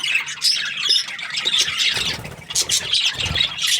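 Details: A happy parakeet gives quick high chirps and squeaky, slightly harsh notes in short clusters, with a brief dip in the middle.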